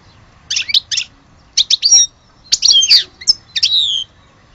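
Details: European goldfinch of the Algerian type giving twittering phrases: paired chirps, then clear whistles and sliding notes in irregular clusters, roughly one burst per second.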